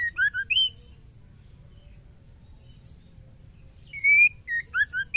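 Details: A female white-rumped shama calls a male in short whistled bursts. Swooping notes open the recording, and after a quiet stretch a loud rising whistle leads into a quick string of slurred notes.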